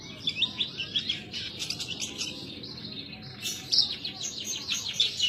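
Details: Caged Horsfield's bush lark from Indonesia in full, energetic song: a fast, continuous stream of high, sharp twitters and trills, briefly pausing before resuming at full strength, with faint background hiss.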